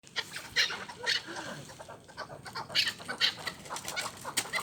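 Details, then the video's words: Chukar partridge kept for hunting, giving rapid, chattering chuk notes in irregular bursts with a few sharper high accents; the sound is fairly faint, with a low background murmur. "Кабки шикори"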